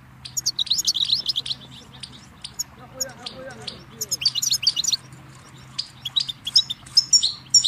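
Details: Goldfinch song used as a tutor recording for chicks and songbirds: bright, high twittering bursts with trills and chirps, broken by short pauses, over a low steady hum and a faint softer sound midway.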